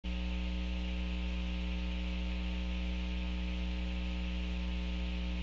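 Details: Constant electrical mains hum with layered steady tones and static hiss, and no animal sound.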